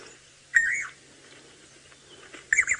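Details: Levaillant's cuckoo call played back softly as a reference recording during a late-afternoon safari drive in Sabi Sand, South Africa, on 15 April 2018: two short, harsh, slightly falling notes two seconds apart over faint hiss.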